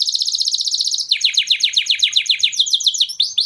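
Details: Male canary singing, the song played to stimulate females and prepare them for mating; a fast, even trill of high buzzy notes shifting into a second trill of lower, downslurred syllables, very loud and clean with no background.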